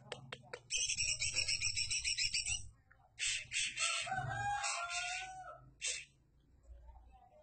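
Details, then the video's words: Greater green leafbird singing a rapid, bright, high chatter of pulsed notes, then short bursts and a lower sliding whistled phrase, with faint low background hum throughout. "Cucak ijo Kicau"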